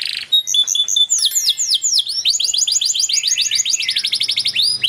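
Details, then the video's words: Agitated canary singing loudly and without pause: fast rolling trills of descending whistled notes, high buzzy tours and rapid repeated chip series, changing pattern every second or so. "تغريد كناري هائج Tweet a raging canary"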